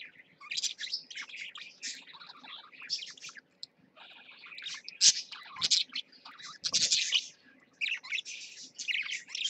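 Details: A pair of pet parakeets in a cage give lively, bubbling warbles and sharp chirps in uneven bursts, with a brief near-silent gap midway and a low background hum.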